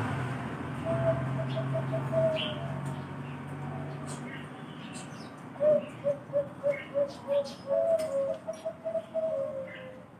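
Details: Bangkok-type zebra dove, valued for its special thick voice, delivers a rhythmic string of about nine soft coos merging into a rolling trill after a stretch of low murmuring voices, with scattered faint chirps of other birds.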